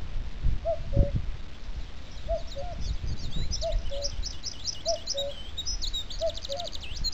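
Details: On 21 April 2005 on the heathland of Cap Fréhel, Brittany, a common cuckoo gives five falling two-note 'cu-coo' calls, about one every one and a half seconds. Other small birds chirp high above, over a low background rumble.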